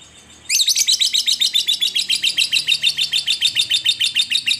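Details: Lovebird ngekek played to coax other lovebirds into song: half a second of near quiet, then an abrupt loud stream of rapid, squeaky, high chattering notes, about three a second, running unbroken to the end.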